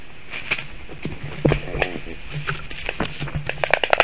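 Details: Black stork chicks at their nest in Sigulda municipality, Latvia, 1 August 2021 at 4:51 PM, defending themselves after a goshawk landed on the nest tree during feeding. Short wavering harmonic calls and sharp clicks sound over a steady low hum and hiss.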